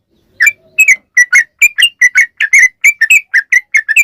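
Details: Sooty-headed bulbul singing in the long rapid 'ropel panjang' style, used as a lure to prompt other bulbuls to sing back: about fourteen short, bubbly whistled notes, evenly spaced roughly every quarter second, with a faint low hum early on.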